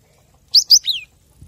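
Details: Cinereous tit song used as a master recording for training captive birds. It gives a single short phrase: two sharp rising whistled notes, then a falling drawn-out note, all high and clear, with faint low rumble afterwards.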